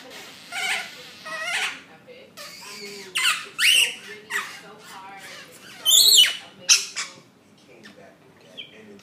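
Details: A pet rainbow lorikeet indoors gives a loud welcome home to its owner: harsh, piercing squawks and screeches in bursts, with softer chattering sounds between them.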